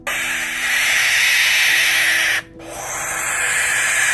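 A Barn Owl gives a long, harsh, breathy screech of about two and a half seconds, a brief pause, then a second rasping hiss.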